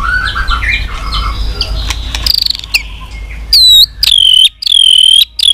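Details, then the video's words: White-rumped shama heard in a track to spur weak-spirited birds: a noisy, jumbled start, then pure high whistles given in three clear bursts. "Chòe lửa tạch liên tục"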